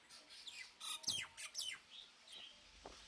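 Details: Common myna (Acridotheres tristis) making a few harsh, downward-slurred squawks in quick succession, followed by softer scattered notes and quiet gaps.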